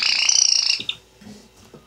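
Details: An angry, possibly bad-tempered pet Java sparrow, recorded 14 January 2017, gives a harsh, buzzy, rapidly pulsing churr lasting under a second, then a couple of short clipped notes before faint rustling.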